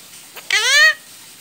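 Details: Talking pet ring-necked parakeet: a brief soft click, then one drawn-out, reedy, speech-like vowel that rises slightly and holds before stopping abruptly, with quiet room tone around it.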